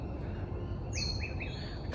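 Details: A pardalote on a morning mangrove boardwalk walk near Wynnum, Brisbane, glimpsed only as it flew over the boardwalk, gives a quick run of three short, high, clipped notes in under a second over a steady low background rumble.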